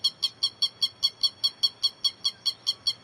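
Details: Grey-headed lapwing call, used as a trapping lure: quick, evenly paced, sharp, bright notes, about two and a half every second, clean and unbroken over a faint low hum.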